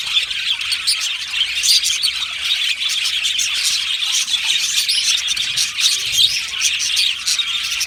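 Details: Budgies in an Australian aviary colony produce continuous chirping song, a crowded stream of high tweets, warbles and occasional louder squawks layered over each other.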